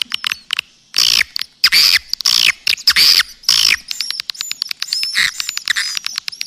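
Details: Triple 999 calling sound used to lure swiftlets: loud harsh broadband bursts about every half second, then quieter rapid clicks mixed with brief high upswept chirps.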